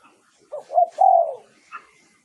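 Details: Spotted dove lure song, Thailand, used to call in wild doves: a single phrase of two short hoots and one long mellow coo, followed by a faint high chirp.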